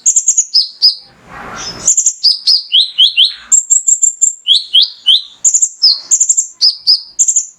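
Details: Song of a male mangrove whistler played to get other birds singing: a dense run of sharp high chirps alternating with slightly lower downslurred whistles, plus one short burst of rustling noise.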